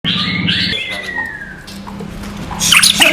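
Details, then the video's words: White-rumped shama (murai batu) training-material song, non-bubbling style: clear whistled notes, one long tone sliding gently downward, then a burst of bright high twittering, over a steady low hum. "MATERI BURUNG MURAI BATU NON GELEMBUNG"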